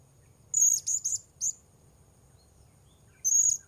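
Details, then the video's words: A blue-crowned hanging parrot, recorded as wild birds are being lured, gives four quick buzzy high squeals, then one longer squeal after a short silence. "Memikat Serindit"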